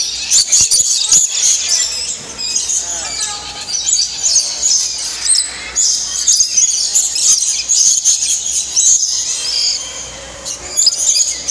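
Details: Captive lorikeets at feeding time in an indoor aviary at Bird Kingdom, Niagara Falls, Canada, where visitors offer cups of nectar: a constant shrill, high screeching chatter from many birds, with faint human voices underneath.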